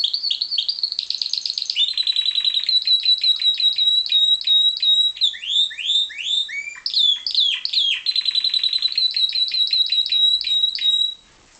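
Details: Pied Timbrado canary, captive-bred, singing loudly and continuously: rapid metallic trills on a steady high pitch, changing tempo between phrases, a middle passage of swooping rolled notes, then back to fast even trilling before stopping abruptly.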